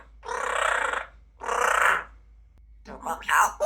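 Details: Female pet grey parrot (Psittacus erithacus) doing speech mimicry: two speech-like phrases of about a second each with a pause between, then a burst of quick chattering squeaks.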